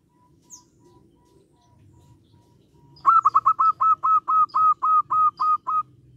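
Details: Calling local zebra dove taunting others to answer: after a faint held tone, a sudden loud burst of around thirteen crisp, rapid cooing notes at a steady pitch, then near silence.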